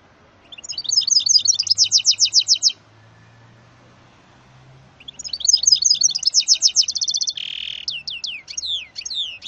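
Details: Goldfinch × canary hybrid, a mule bred from a male goldfinch and a female canary, singing two bursts of rapid high trills separated by a two-second pause, the second phrase ending in buzzy notes and descending slurred whistles.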